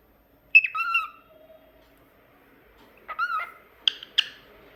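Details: Pet cockatiel singing: a clear whistled note that drops in pitch, a soft low tone, then after a pause a warbled phrase and two sharp, bright chirps in a quiet room.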